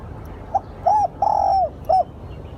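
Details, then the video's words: One phrase of a spotted dove's lure call, four mellow hooting notes: a faint short coo, a bowed coo, a long sustained coo dropping at the end, then a clipped closing coo; quiet rural hum behind. "Tiếng chim cu gáy gọi hay"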